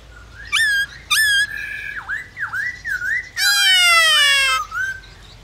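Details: Black-throated laughingthrush singing to prompt other birds to sing: two short sharp whistles, a series of dipping whistled notes, then a long loud harsh buzzy note and a closing soft whistle.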